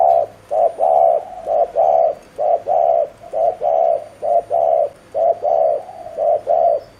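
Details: Decoy spotted dove giving rapid 'gù' cooing used to lure wild doves; low, hoarse coos in close pairs repeat roughly once a second across the clip, with steady gaps between pairs.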